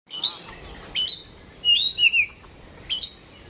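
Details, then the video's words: Home-kept Oriental magpie-robin singing in a mental test: loud, clear whistled phrases, with sharp upslurred notes, then a pair of falling slurred whistles, and another bright upswept note near the end. Background is quiet. "tes mintal burung Kacer rumahan"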